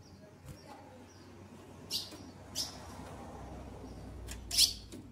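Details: Sharp high chips from a female ultramarine grosbeak asking to mate, spaced irregularly and ending in a louder, harsher note, over quiet background hiss.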